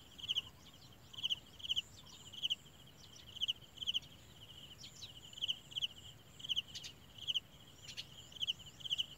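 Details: While being fed by adult Garden sunbirds, a very small sunbird chick gives thin, high chips, often in quick pairs, repeated about once a second over a steady high insect-like hum.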